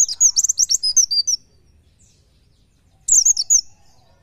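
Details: Oriental white-eye speedy 'nembak nyepeed' song for masteran: a long run of quick, high-pitched chirps followed after a silent gap by a shorter, similar burst.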